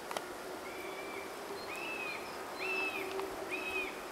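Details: Fledged young common buzzards, three, sitting in woodland trees after leaving the nest, still dependent on parents: four drawn-out, thin, slightly arched mewing whistles, each under a second, over faint steady outdoor hiss.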